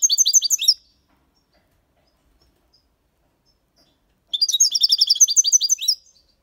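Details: European goldfinch, six months old, in Malaga copy song style: a brief twittering burst, a pause of over three seconds, then a sustained run of quick, bright, high trilled notes.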